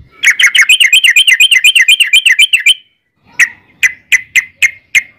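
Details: Yellow-vented bulbul giving a long rapid trill, used as a lure so other bulbuls answer: about 2.5 seconds of fast bubbly notes repeated almost three times a second, then a pause and six separate sharp chirps.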